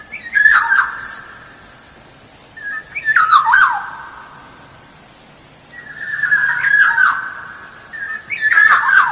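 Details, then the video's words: Black-naped oriole song used as a lure: fluting whistled phrases about every three seconds, each ending in a slurred drop, over faint background hiss. "Suara Pancingan Kepodang Emas Gacor"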